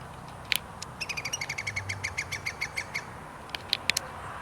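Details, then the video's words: Iberian green woodpecker, 2 July 2022, a long laughing series of roughly twenty ringing notes falling slightly in pitch over two seconds, with a few sharp clicks before and after. "Green woodpecker chirping 2: PIL-PILEAN"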